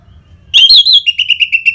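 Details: An orange-headed thrush delivers ngeplong song, a lure to get caged birds singing: a loud, slurred whistle, then about seven quick, evenly repeated notes at one pitch.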